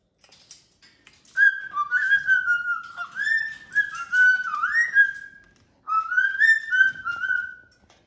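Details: Warbling whistles from a pet cockatoo: connected gliding notes that rise and dip, a pause, then another whistled phrase, with faint background rustle.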